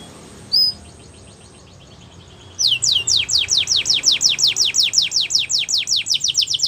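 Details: Belgian canary singing: a faint high whistled note and a short sharp note, then after a pause a loud run of quick downward-sweeping whistles repeated nearly three times a second.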